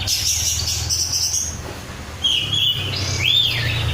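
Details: Oriental magpie-robin (kacer), a 'rudal Korea' type untrained bird, singing vigorously: high whistled notes, a long flat whistle then rising and falling slurred phrases, over a steady low mechanical hum.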